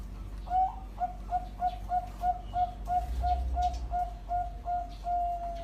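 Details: Tired Bangkok-type zebra dove giving a soft run of short, even, flute-like coo notes, about three a second on one steady pitch, over a low background rumble.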